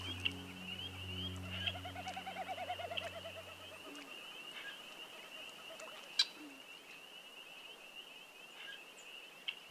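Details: In early June in wolf country, a male Wilson's Snipe winnows in flight. The wings make a soft, quavering hoo-hoo-hoo of about two seconds to mark territory and attract a female. A steady high trilling chorus, likely frogs, runs behind, with a low hum at first.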